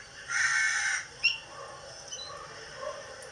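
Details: Pet rose-ringed parakeet, kept as a household bird, giving one loud harsh rasping screech lasting about two-thirds of a second, followed by a brief sharp squeak and faint scattered chirps against quiet indoor background.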